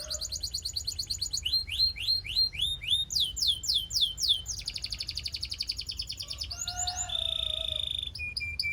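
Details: A Belgian canary sings to warm up canaries and excite females, moving through rolling trills, loud swooping downward whistles, a rapid even trill, and a high steady tone near the end.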